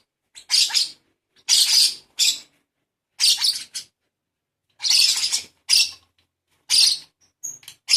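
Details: A lovebird chick being hand-fed, with a series of short, scratchy, hissing begging squeals at irregular intervals, some clipped and abrupt, plus a faint thin whistle near the end.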